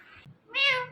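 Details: Talking Indian ringneck parrot: a soft, muffled syllable, then one loud, nasal, harmonic meow-like word.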